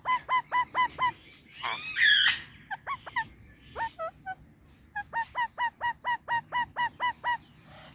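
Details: Pet white ringneck parakeet chirping in quick series of short, even notes, broken near the middle by a loud harsh squawk and scattered calls, then another rapid run of a dozen matching notes to the end.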